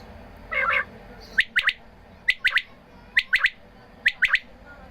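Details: Watered quail utter one buzzy, harmonic squawk followed by four regular bursts of three sharp, high notes, each triplet roughly a second apart.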